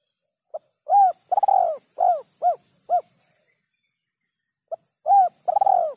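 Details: Spotted dove, kuk 3 song style, clean recording: a full phrase of a short note, a mellow coo, a long trilled coo and three clipped coos, then silence and the phrase beginning again.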